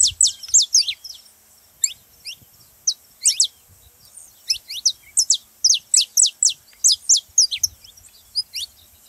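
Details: Saffron finch song aimed at stimulating canaries to sing: clear, bright high chirps delivered in quick clusters of two to four downslurred notes, separated by short pauses.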